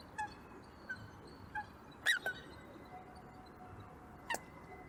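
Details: A few Eurasian coots at a local pond in Perth, Scotland, on 25 January 2023. Short nasal notes repeat about every 0.7 seconds, then comes a louder, sharp double call and a last single note, over a steady low hum.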